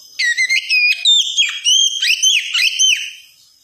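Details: Wikplong-style song of an Oriental magpie-robin, meant as therapy so a young untrained bird will start singing: a rapid, continuous string of loud whistled notes, each swooping up or down, varied and ringing, ending abruptly.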